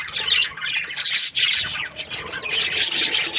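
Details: Short burst from an aviary of breeding budgerigars: overlapping shrill squeaks and warbling chirps, briefly dipping before resuming.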